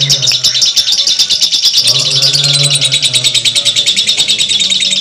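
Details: Lovebird ngekek panjang, a long chattering song style: unbroken, dense, high-pitched chatter of rapid buzzy chirps, about three pulses a second, running the full length over a low droning hum.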